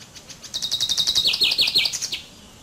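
A common chaffinch sings a bright, rapid phrase of about two seconds: a fast series of high notes tumbling lower, finished with a brief flourish.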